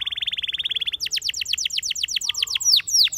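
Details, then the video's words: Spanish Timbrado canary singing: a fast, even metallic trill of rapid repeated notes for about a second, then a run of quick downward-sweeping chips that end in higher, ringing slurred whistles. "Spectacular Spanish Timbrado Canary, This Canary Invites All Birds to Sing"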